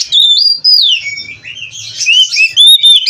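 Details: Oriental magpie-robin (kacer) from a breeding aviary singing clear whistled phrases, some sliding down in pitch, followed by a quieter stretch and then bright high whistles and chatter.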